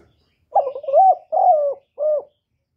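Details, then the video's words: A spotted dove gives a three-part cooing phrase: a stuttering, wavering opening note, a smooth sustained coo, then a brief closing coo, with no other sounds. "សំឡេងលលកូក2.ឮច្បាស់ល្អ.2023 , terkukur"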